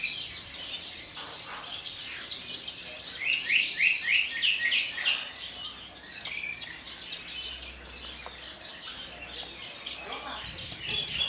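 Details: Javan bush lark native to Kulon Progo singing from its perch stone in the Jambul style with fluttering wings; varied high twitters, a burst of rapid rising buzzy notes, then more scattered chirps.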